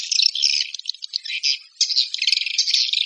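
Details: Swiftlet calling sound: dense, high, buzzy twittering in uneven bursts with a brief dip in the middle before the chatter returns.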